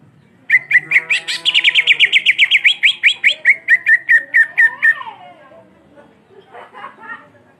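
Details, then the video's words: Cucak ijo, the green leafbird, long black beak, singing a vigorous rolling song: a long run of rapid whistled notes that climbs, then eases lower over four seconds, followed by a falling slur and soft chatter. "Cucak Ijo Gacor Ngerol Moncong Hitam Panjang Cocok Memancing Emosi"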